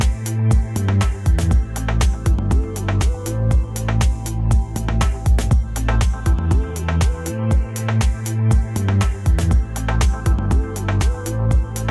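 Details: Steady electronic music with a thumping beat and sustained tones, and no animal voice anywhere.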